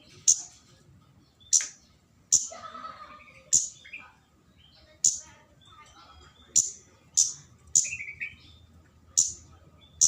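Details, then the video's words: Flowerpecker, known locally as kemade cabe-cabean, calling energetically to lure a rival: sharp high clicking chips repeated irregularly about once a second, with faint softer chatter and a mid-pitched warble in between. "Pancingan burung kemade cabe-cabean GACOR NGALAS memanggil lawan"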